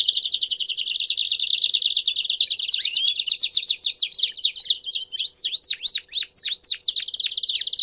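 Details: Belgian canaries singing together: a long rapid pulsing trill, shifting into a steady run of sharply down-slurred whistled notes repeated about four per second, bright and loud.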